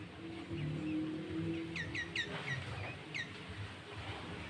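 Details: Sooty-headed bulbul singing loudly, used as a lure to draw bulbuls and provoke rivals, with green leafbird filler phrases: a quick run of downward-curving whistled notes, several in close succession, over a steady background hiss.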